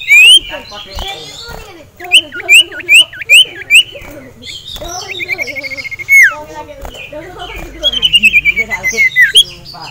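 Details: Caged male sirtu, agitated by a singing rival and a female, gives repeated upslurred whistles, then fast even trills of high notes that fall away, among scattered chirps.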